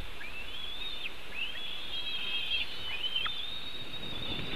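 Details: At a Latvian nest camera, a white-tailed eagle calls during a fish theft between two eagles on 4 July 2018, late afternoon: long, thin, wavering whistles running into one another, with a few sharp downward strokes and steady hiss.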